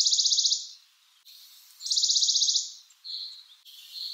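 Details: Western Bonelli's warbler giving dry, rapid, evenly pulsed high trills, each under a second long, two heard with a quiet pause between and faint thin notes trailing after.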